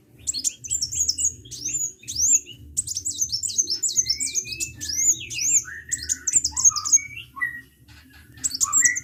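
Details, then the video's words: Chatty sunbird delivering dense volleys of sharp, high-pitched twitters and squeaky slurred whistles, pausing briefly between phrases, over a low constant hum. "KICAU BURUNG KOLIBRI GACOR"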